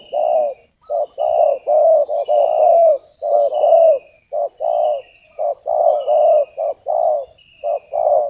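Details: Spotted dove decoy calling wild doves to a trap: continuous rich, mellow coos in short paired and longer drawn phrases, accompanied by a repeated thin, falling whistle from another bird.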